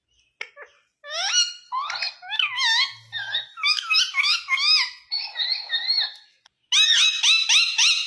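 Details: Talking green Indian ringneck parrot, a run of loud, rapid, wavering harmonic syllables with rising and falling inflections, like hurried speech, in short bursts with a brief pause before a final phrase.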